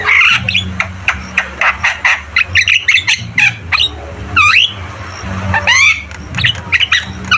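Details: Javan myna singing busily: a rapid series of sharp chips and squeaks, then two loud wavering rising whistles, over a low humming background.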